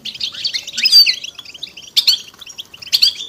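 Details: A chorus of European goldfinches giving stimulating mating calls to coax silent males into song; sweet twittered phrases with a clear high whistle near the first second, then sharp chirp bursts roughly every second.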